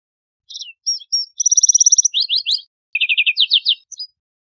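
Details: Song of a lark sparrow in nature: high clipped notes lead into a rapid even trill, then bursts of sharp descending chirps, a second trill and a final short note, roughly three and a half seconds of clean song.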